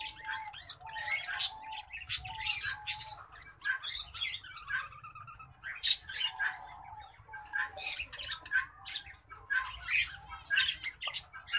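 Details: Green singing finch crossed with black-throated canary in long continuous song: dense, rapid twittering and chirps with sharp squeaky accents, little pause between phrases, a low tonal note recurring throughout.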